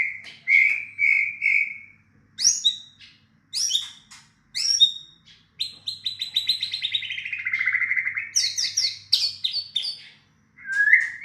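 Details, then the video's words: White-rumped shama song during a lure session meant to get a silent bird answering: clear whistled phrases, a sustained warble sliding downward, then sharp high notes and a short rising whistle at the end, with a faint low hum. "pancingan murai batu macet bunyi langsung ikut nyaut bunyi"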